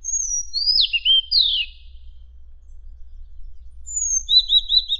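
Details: Madagascar magpie-robin song used as training material for contest songbirds: high sliding whistles, a downward-swooping phrase, then after a pause a thin whistle and rapid warbled notes.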